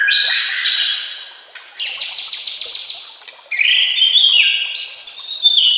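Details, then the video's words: Master song of a white-rumped shama for training shamas: high buzzy trills and rapid chattering runs, then a clear whistle sliding upward into sharp high notes. "Masteran murai AMPUH yang di pakai semua burung juara PASTI CEPAT GACOR DAN NGEPLONG"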